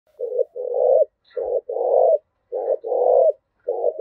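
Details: Spotted dove giving the urging 'thúc gù' coo used to train decoy birds and rouse males: low hollow coos in paired short-then-long phrases, roughly three phrases in four seconds, against a silent background.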